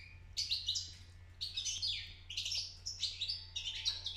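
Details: Young European goldfinch beginning to sing, giving short bursts of high, tinkling twittered phrases with brief pauses between them; a steady low hum runs underneath.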